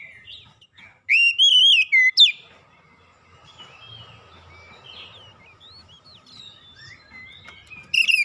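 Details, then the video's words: Lure song of an Oriental magpie-robin aimed at making hard birds sing: one strong clear whistle, rising then slowly falling, ending with a sharp note, followed by faint scattered chirps and a fresh loud start at the end. "kicauan pemikat Kacer bahan susah bunyi langsung gacor"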